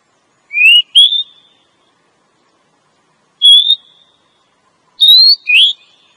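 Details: Female Oriental magpie-robin calling to draw in a male: sparse, short upslurred whistles in pairs and singles, separated by pauses of one to two seconds.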